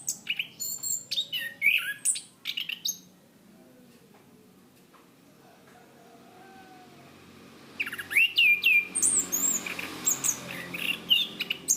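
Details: Chestnut-capped thrush, a favoured Southeast Asian cage singer, in a lively 'gacor' training song: a burst of fast chirps and whistled slurs, then about five seconds of near silence, then a fresh run of high rising and falling whistles.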